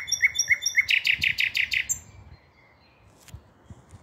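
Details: Common nightingale song recorded 5 May 2023: three sharp upslurred notes, then a fast series of loud, rich repeated chops, a short whistle, and near silence with faint background rumble.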